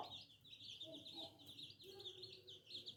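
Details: Little new chicks peeping softly: a steady stream of high, short chirps overlapping in rapid succession, with a few faint lower clucking notes underneath.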